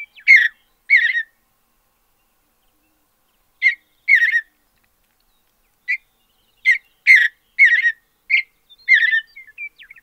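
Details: Sparse clusters of short, bright warbled notes from a Mountain Bluebird in its natural habitat, coming in pairs and trios and growing busier toward the end, against a quiet background.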